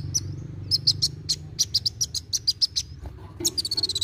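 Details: Chatty kolibri wulung sunbird delivering fast narung song, played to make young birds sing: a rapid string of thin, high, sharp notes, a brief gap, then a quicker trilling burst, with low background hum.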